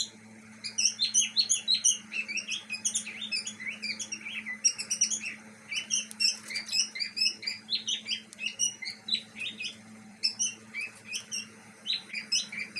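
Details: Several pet budgerigars in Pakistan, suffering in a summer heat wave, chatter in quick, scratchy chirps and warbles over a steady low hum.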